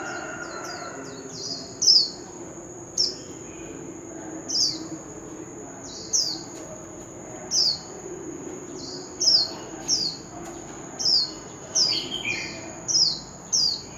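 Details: Oriental magpie-robin, wild-voice lure for singing contests. Thin, high whistles that slide downward repeat irregularly, roughly every second or two, over a steady high-pitched hiss and low background noise.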